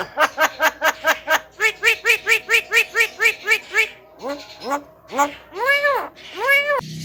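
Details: Tame Javan myna mimicking speech: a fast series of about fifteen evenly spaced, voice-like syllables, like laughter, then slower arching drawn-out vowel sounds.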